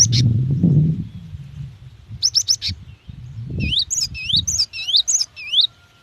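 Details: Calls of a female cinereous tit summoning a male, played to prompt singing: a quick run of sharp high notes, then a series of clear upswept whistled chirps, over low thumping noise.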